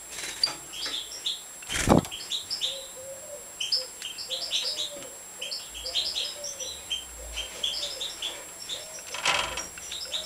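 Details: European goldfinches at feeding time in a breeding setup: many high, thin chirps and short twitters repeated in quick clusters, a lower soft chattering beneath, and two brief loud clattering knocks.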